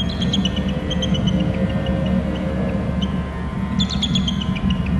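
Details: Male bald eagle at a nest territory on Hornby Island, fluttering down and trilling: thin, high, chittering notes in a descending series, then a second burst, over strong steady wind rumble.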